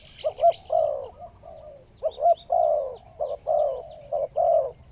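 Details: Spotted dove, a wild bird described as having a big, deep voice, calling in soft low coos, some short and some drawn-out, in irregular groups with brief pauses, a faint high steady tone running underneath.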